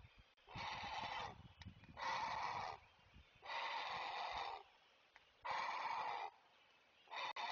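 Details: A great blue heron (Ardea herodias) parent at a Chesapeake nest cam gives an alarm call warning others to stay away: four long, harsh, raspy squawks about a second apart, each up to a second and a half, over a quiet background.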